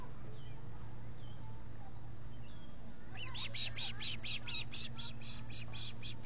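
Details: At a Finger Lakes nest in the US with three ospreys present, 19 July 2021, on a solar-powered nest camera: near-silence, then a fast string of about a dozen piercing whistled chirps, several per second.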